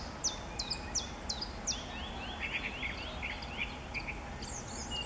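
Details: Song thrush singing high in treetops in Bavaria, Germany, in March 2014. A clear, high downslurred whistle is repeated about five times, then a run of short twittering notes is repeated several times over steady background noise.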